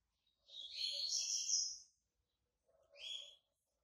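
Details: Yellow-bellied seedeater, white-breasted Bahian type, coming out of moult, delivering a dense, buzzy warbled phrase of over a second, followed after a pause by a shorter burst; faint low background hum.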